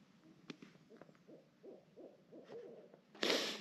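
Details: Barred owls, seemingly two or three right over a tent at night on the Appalachian Trail in Georgia, giving mating calls: a quick run of about five low, arched hoots in under two seconds, then a sudden loud burst of noise.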